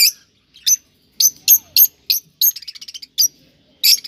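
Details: Cockatiels, kept birds, calling to stimulate breeding: evenly spaced harsh chirps roughly every third of a second, with a quick stuttering run of short notes midway.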